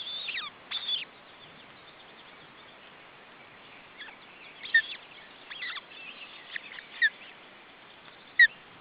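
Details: Female osprey feeding three chicks, June 2012: two shrill whistled bursts open, then a pause and scattered softer chirps and sharp single notes against steady background hiss.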